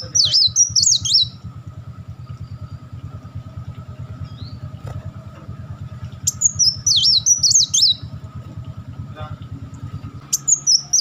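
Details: Kolibri Wulung sunbird giving crecetan, chattering volleys used as a master for training birds: three short bursts of high, zigzagging notes about five seconds apart, over a low steady mechanical hum.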